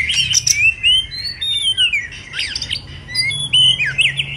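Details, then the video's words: Loud song from a moulting white-rumped shama, made of crisp high whistles, rapid up-and-down slurs and short twittering bursts in quick succession, with a faint low hum underneath. "Choè lửa đang xuống lông kéo thuốc Lào phê tít"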